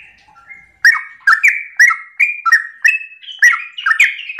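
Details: Sooty-headed bulbul singing in the morning to provoke other birds. A few soft notes lead into a run of loud, bubbling, downslurred phrases spaced about half a second apart, the last ones climbing a little higher.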